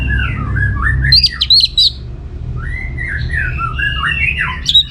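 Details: Caged orange-headed thrush from northern Bali, Singaraja, singing to lure other birds to answer; varied slurred whistles around mid pitch with sharp high notes, steady low background hum.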